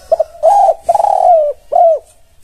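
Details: Spotted dove cooing, played as a training call said to make other spotted doves answer at once: two quick soft notes, then three mellow low coos, the middle one drawn out and slightly falling. Little else is heard.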